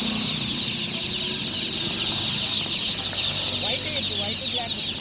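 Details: Newly hatched chicks chirping at night, a thick continuous layer of high, thin peeps, accompanied by a low hum and faint murmuring.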